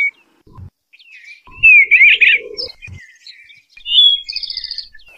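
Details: Eastern bluebird warbling: one tumbling, burry phrase, a pause with low thumps, then a second phrase ending in a rapid series of high, evenly pulsed notes.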